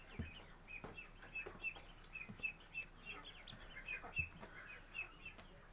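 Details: Day-old Magpie duck ducklings: a string of short, thin, high peeps, roughly a dozen spaced unevenly over a few seconds, with faint rustling and soft low bumps beneath.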